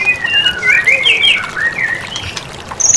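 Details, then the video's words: White-rumped shama training song: a series of rich, slurred whistles that swoop up and down. The phrases then fade, and a brief high trill follows at the end. "Masteran mematikan murai batu"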